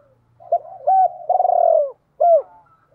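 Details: Single cooing phrase from a decoy spotted dove calling females in the gáy gọi hai hậu style. A brief coo and a flat held note lead into a long tremulous downslide, then one clear arched closing note.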